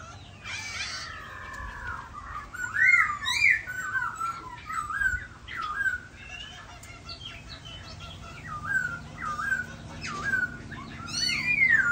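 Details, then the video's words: Khướu da bò laughingthrush singing while dancing: rich, varied whistled phrases with rising and falling slurs, clear fluty notes repeated at short intervals, a brief harsh buzzy burst near the start, faint low background hum. "Khướu da bò hót múa đẹp"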